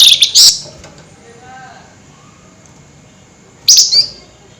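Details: Flameback calling at night, two sharp, high rattling bursts, one at the start and one near the end, separated by a quiet gap.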